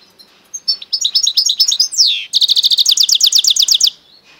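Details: Goldfinch × canary mule singing: a run of bright, high chirped notes, then a long descending slur and a fast, even trill of repeated sharp notes that stops abruptly.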